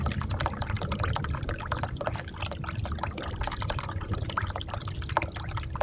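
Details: Continuous splashing and dripping water with rapid irregular bursts, with no animal call.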